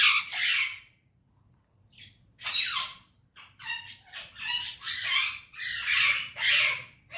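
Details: Parrot in a happy mood chattering in Urdu or Hindi words: a run of rasping, syllable-like bursts, several in quick succession after a pause, each scratchy and breathy, with a faint low hum indoors.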